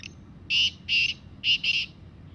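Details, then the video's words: A wild black francolin calling in the jungle gives four loud, harsh, grating notes in two pairs over about two seconds, against a faint low rumble. "Desi Kala Teetar Bolty hue Kala Teetar ki Awaz Teetar ki Voice"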